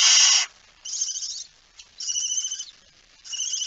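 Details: Barn owl with a mouse, recorded 17 September 2019 at 01:49 at night: one loud, harsh broadband screech, then three quieter raspy calls with a faint whistled edge, spaced roughly every 1.2 seconds, with silence between.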